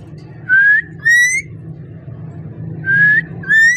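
A rose-ringed parakeet gives four clear, slightly rising whistles in two pairs, each note under half a second, over a low indoor hum.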